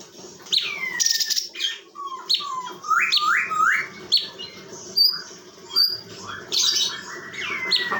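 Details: Tutor-bird Chinese bulbul held captive in Bekasi, Indonesia, giving a lively sequence of rapid rising whistled notes in quick series, interspersed with sharp high chips and short downward slurs.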